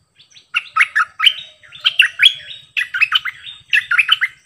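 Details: Caged decoy bulbul singing many song phrases: four bursts of bright, warbling, whistled notes, each a quick run of three to five syllables separated by short pauses, over a quiet background.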